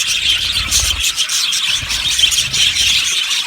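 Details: Yellow budgerigars in a colony aviary giving busy, high twittering chirps, with short, sharper squeaks popping out of the constant chatter of the flock.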